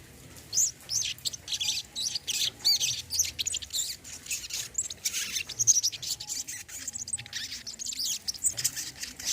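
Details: Olive-backed sunbird used as a therapy recording for a bird that has stopped singing; fast, very high, thin twittering and chips in rapid bursts, softly recorded, with faint background hum.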